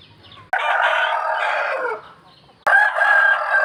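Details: Dawn crowing of roosters: one sustained harsh crow of about one and a half seconds, a short pause, then a second crow bursting in loudly.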